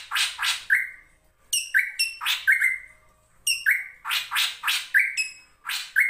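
A drongo sings a lively, varied phrase of harsh rasping bursts broken by short level whistles and ringing metallic notes, repeated about every second.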